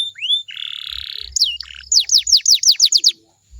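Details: Canary singing to invite answers from other canaries. A single rising whistle is followed by a buzzy rattle, then a quick series of sharp, descending whistled notes about six per second.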